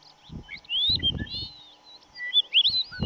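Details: Dupont's lark recorded at Duraton Gorge in May 2005, giving a sequence of high, thin, slurred whistles that rise and fall in short strokes, with low thumps and wind noise underneath.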